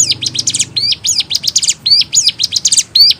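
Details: Short burst from a hill prinia (ciblek gunung) singing energetically: crisp, very high zigzag chirps delivered in fast clusters, with brief gaps between each phrase.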